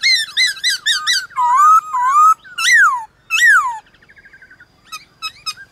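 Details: White-cheeked laughingthrush in a morning song duel with wild birds, quick chattering whistled notes, a long rising whistle, two loud descending slurs, then faint rapid twittering.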